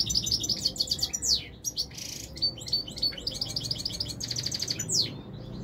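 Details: Moroccan European goldfinch singing continuously, a dense stream of bright, rapid, liquid twitters, chirps and quick downward-sweeping notes, with a low background rumble.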